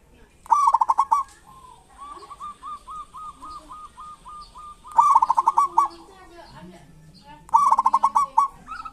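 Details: Local zebra doves giving kerot and bekur style song, meant to provoke silent doves into singing. Three strong pulsed coo phrases recur every few seconds, while a second dove keeps up a long row of soft, even coos.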